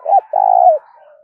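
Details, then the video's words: Close spotted dove in 'thúc' cooing style: a quick low note followed by a drawn-out hollow coo that trembles slightly and falls at the end, then a faint trailing hum. "Tiếng chim cu gáy thúc cực đỉnh vang cả buôn làng, chim cu gáy nghe giải trí"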